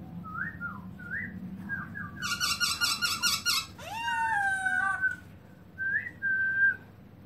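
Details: Black-throated laughingthrush with its tail opened, singing in 2017: mellow wavering whistles, a harsh buzzy rattling burst, a rising sweep, then more clear whistled notes.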